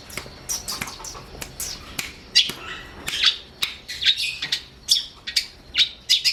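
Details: Long-tailed shrike song used for training other songbirds: a run of scratchy, screeching notes repeated about once a second, each harsh and high, with softer chatter in between.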